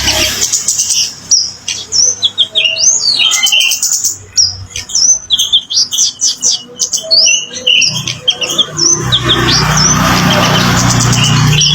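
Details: Orange-headed thrush, called kemade, pouring out varied song meant to make silent birds answer: quick whistled slurs, chips and trills in rapid succession, ending in a few seconds of loud rushing noise.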